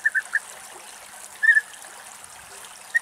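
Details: European bee-eater in Greek nature in August gives short, liquid, rolling calls: a quick run of three, a trilled burst, then two more near the end, over soft background hiss.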